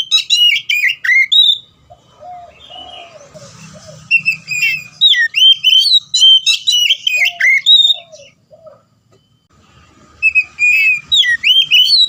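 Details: Long bouts of Oriental magpie-robin song played to prompt a reluctant bird to sing: rapid, varied whistles, sharp high notes and lower slurred phrases, repeated in bursts over twelve seconds with short pauses.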